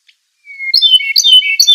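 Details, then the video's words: Okinawa nightingale singing: a thin, level whistle slides into a rapid jumble of bright, high warbled notes that tumble up and down without a pause. No other sounds intrude. "El ruiseñor de Okinawa"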